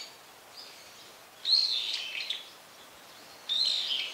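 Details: Brown-eared bulbul, a bird that calls often, gives two strident, screechy phrases about two seconds apart, each starting with a high whistle and dropping into rough, wavering notes, after a faint softer note.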